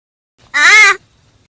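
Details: A pet talking crow called Kalu, spoken to in Marathi and offered biscuits, gives one hoarse, nasal utterance lasting about half a second that rises and falls slightly in pitch; the owner asks whether its cough has gone.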